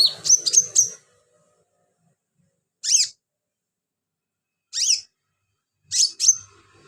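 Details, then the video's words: Sunbird singing as filler song for training birds; short bursts of thin, high twittering notes with sharply falling slurs, separated by long silences. "BURUNG KOLIBRI/CONIN GACOR buat isian"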